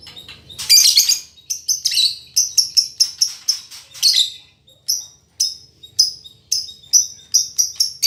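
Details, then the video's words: Female fighter lovebird, as vocal as a male, used as tutor audio: a rough burst followed by a long series of about twenty sharp, high chirps, each dropping briefly, given roughly every half second. "Suara Burung Lovebird Betina Fighter"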